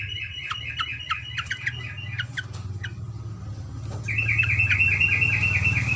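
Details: Yellow-vented bulbul singing a long 'ropelan panjang' run for tutoring: evenly spaced sharp chirping notes repeated several per second, a short break, then a renewed fast steady series over a low background hum.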